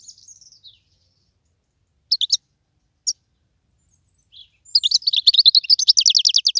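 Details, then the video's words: Wild European goldfinch: a few scattered sharp chirps and a descending thin note, then a long, fast, rhythmic run of bright repeated twittering notes to the end. "تغريد مقنين خلوي"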